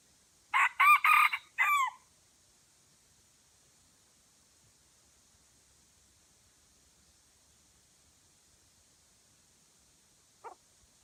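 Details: Red junglefowl crowing in Aceh, Indonesia, where two wild junglefowl came to a lure bird: one short, broken crow of four quick harsh bursts, then a long silence and a faint distant call near the end.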